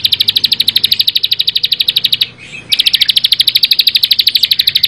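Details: Rapid ticking song of a prinia: sharp high notes repeated several times a second in an even run, broken by a half-second pause, then continuing just as fast.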